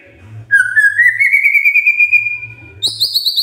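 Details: Magpie-robin song used in the morning to set other magpie-robins singing: one long clear whistle slowly rising in pitch for over two seconds, followed by quick high trilled notes, with a low steady hum underneath.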